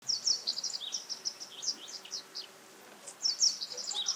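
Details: Japanese wagtail giving high, sharp chirping calls in quick irregular clusters. A brief pause comes midway, then another burst of chirps. Faint steady background noise is present.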